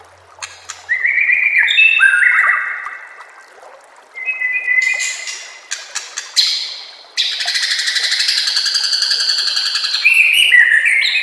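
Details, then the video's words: Masteran training recording of a white-rumped shama with nature sounds and trickling water: varied rising and falling whistles, snapping clicks, then a long harsh buzzy rattling trill ending in sweet whistled notes. "murai batu anda dengar suara MASTERAN burung seperti ini"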